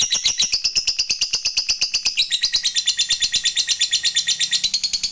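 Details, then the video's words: Long 'ngekek' trill of a fighter lovebird, played to make other lovebirds trill fast; a fast run of sharp high notes shifts partway into a slightly lower, buzzier, very regular pulsing chatter that continues throughout. "Suara Burung Lovebird ini PINTAR Sekali Bikin Labet Cepat Ngekek"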